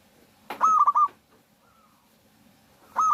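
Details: Zebra dove of a local strain singing to lure other doves into song: one pulsed cooing phrase, a faint soft note in the gap, then the next phrase beginning at the end.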